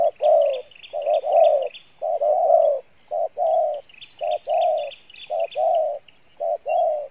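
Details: Spotted dove of wild stock giving its 'pha bài lối' song with good voice and decent coo: rounded, mellow hoots grouped in quick doublets and triplets, steady pace, while smaller birds chirp repeatedly at a higher pitch.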